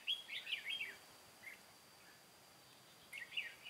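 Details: Red-whiskered bulbul decoy bird from Cao Phong, used in a trap to lure wild bulbuls, 23 August 2018; two bursts of quick warbled, chirpy phrases, the first near the start, the second after a pause of about two seconds, over faint background hiss.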